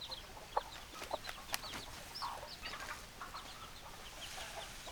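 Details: Many hens clucking at once in a busy chorus of short, sharp, overlapping clucks, with a few louder accented notes near the start.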